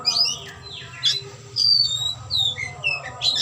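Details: Oriental magpie-robin (kacer) in tail-opening display giving clear descending whistles and harsh raspy bursts, with a noticeable low hum running beneath.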